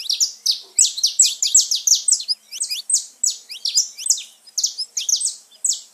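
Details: Saffron finch song for stimulating pet birds: continuous, fast, bright chirps, each a sharp high note slurring downward, repeated several times per second without pause.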